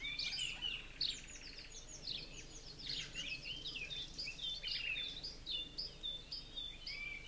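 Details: Aviary scene of two Blue-crowned Laughingthrush fledglings, out of the nest one day, being fed by parents in a conifer; dense bursts of high chirps and squeaky notes tumble over one another, several birds calling at once.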